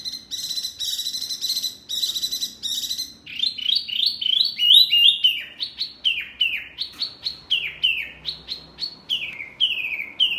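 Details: Tutor song (masteran) for caged songbirds; buzzy stacked notes repeated in bursts, then a long rhythmic series of sharp downslurred whistles, several per second, over faint background hiss.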